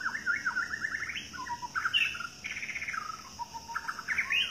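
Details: A wild White-rumped shama (Medan type) in forest sings rich, varied phrases: fluty whistles and quick rattling trills, rising and falling between high and middle pitches, with faint background hiss.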